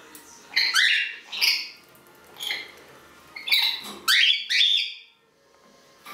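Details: Green-naped lorikeet giving loud, harsh, screeching squawks in short bursts, roughly one every second, some doubled, with quiet pauses between.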